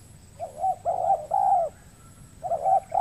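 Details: A wild spotted dove responds to a caged decoy on peat ground in the Riau Islands, Indonesia, cooing readily but lacking the nerve to fight. Three smooth, sustained coos follow one another, then a pause before another coo begins.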